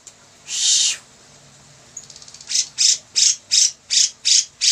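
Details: Lively bearded bulbul song for training other birds: a long harsh rasp, a soft quick rattle, then regular loud buzzy bursts repeated about three per second.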